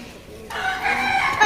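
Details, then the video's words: A pet talking Rose-ringed parakeet gives a drawn-out, nasal, voice-like utterance lasting about a second, with faint room noise and a person nearby urging it to talk. "টিয়া পাখি কথা বলে"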